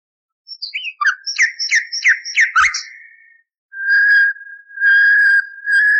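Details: Common nightingale song for canary training, from a decades-old recording with the noise removed: a quick series of sharp, falling chirps, then three long, level, flute-like whistles after a short gap.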